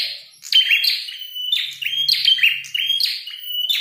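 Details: Red-headed prinia singing in full voice while fighting: harsh, buzzy chattering bursts with sharp ticking notes, repeated roughly every second in quick, uneven series, with a faint low hum underneath.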